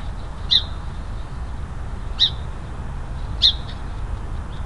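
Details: In Oregon's Willamette Valley, a song sparrow scolds a nearby bobcat caught on a trail cam, giving three sharp, high chip notes about 1.5 seconds apart over a steady low wind rumble; finding: Song Sparrow.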